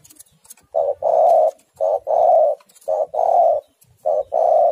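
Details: Female spotted dove calling to the male, recorded as a lure: four low cooing phrases, each a short note followed by a longer, steady hooting coo, repeated about once a second in an even rhythm.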